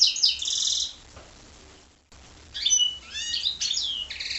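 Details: Goldfinch × canary hybrid song in two bursts split by a short silence: first a fast buzzy trill, then bright whistled notes and rising and falling slurs.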